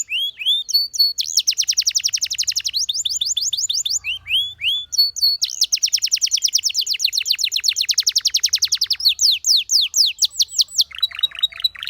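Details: Canary training song, clear and loud, with upslurred whistles, long runs of very fast repeated notes, and a lower burred trill near the end.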